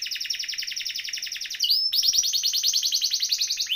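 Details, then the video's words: Canary (kenari) masteran song: a rapid rolling trill of repeated notes, a brief rising whistle, then another dense fast trill. "Kenari Gacor Ngeroll Isian Masteran atau Pancingan Kenari Riwikan atau Kenari yang Macet Bunyi"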